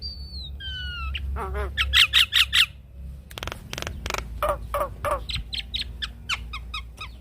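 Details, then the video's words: Javan myna tutor song, masteran and pancingan for caged mynas: descending whistles, a quick burst of four harsh chatter notes, then loud clicks and scattered squawks in uneven rhythm. "Masteran dan Pancingan Jalak Kebo"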